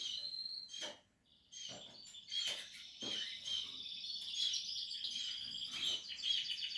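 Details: Portuguese harlequin canary nestlings making continuous shrill, wavering high calls with sharp clicks and ticks scattered through, growing steadier toward the end.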